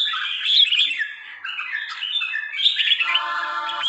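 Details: Red-whiskered bulbul of the trà my type, a bird of three seasons, singing a dense, fast warble of chirpy whistled notes that slide up and down, ending in a buzzier, harsher phrase.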